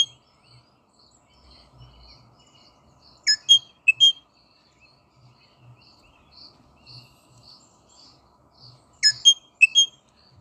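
Rosella giving two bursts of sharp, ringing chattering notes about six seconds apart, with faint soft piping calls in between.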